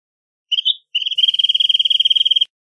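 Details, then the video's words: Wrentit song: two short introductory whistled notes, then a long, fast, even trill of about thirty clipped notes at one pitch lasting over a second, on a silent background. "Wrentit Singing! Wrentit Calling! Wrentit Chirping! Wrentit Sound!"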